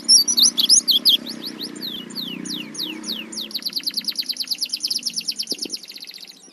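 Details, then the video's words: Oriental white-eye in ngerol 'tembakan' style, used as a master recording for teaching other songbirds: a run of loud, very high descending whistled sweeps, then a fast, even, twittering trill of short notes that slowly fades, over a faint low hum. "Pleci Ngerol #1 | Masteran tembak"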